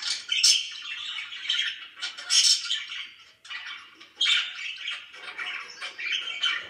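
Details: Pet budgerigars, described as very happy, give loud sharp squawky chirps mixed with softer twittering chatter, coming in uneven bursts.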